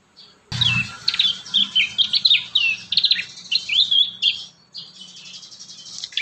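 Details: Prinia song played to train young prinias: a long, continuous run of quick, varied chirping and twittering notes at high pitch, fading into softer background chatter toward the end.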